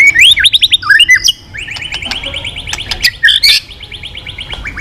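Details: Rich, fast white-rumped shama song: rapid twisting whistles give way to a long, even trill of repeated notes, then more bright looping phrases and sharp clicks.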